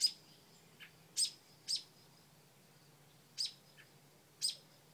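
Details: Nesting mother bird scolding a dog near her porch nest of new babies; abrupt, harsh chips at uneven intervals, five loud notes with softer lower chips between.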